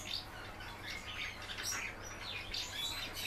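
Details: Short burst of a captive house martin's song, dense high chirrups and thin squeaky notes packed closely together over a low background hum.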